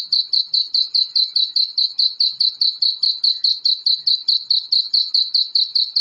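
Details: Black francolin (kala teetar) chicks, a sound used to excite adult birds: a steady stream of high, thin peeping notes, about four to five per second, continuing without a break. No other sounds.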